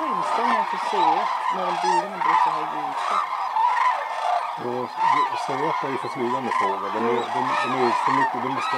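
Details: Hooded and White-naped Cranes at Arasaki, Kyushu, Japan, in snowy surroundings; nearby birds give harsh, honking, bugle-like calls in quick overlapping series, loud and close, backed by a constant flock chorus.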